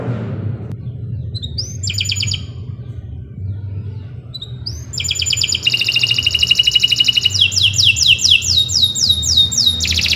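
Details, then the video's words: Canary singing a long, lively song used as a master recording for training other birds: short upward whistles, then sustained rapid trills and rolling buzzy notes in shifting tones, over a low steady hum. "Kicau Burung Kenari II GACOR PANJANG Cocok untuk Masteran"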